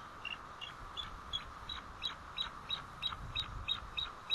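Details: Bald eagle alerting at its White Rock nest on 1 April 2012 around 10:06 am, as the male returns: a rapid run of about eleven thin, high, staccato chirps, evenly spaced across four seconds.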